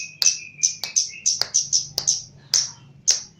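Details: Chestnut-capped laughingthrush from Java, lively during training: about a dozen loud, sharp chip notes in quick succession, some doubled, over a faint steady whistle in the first second.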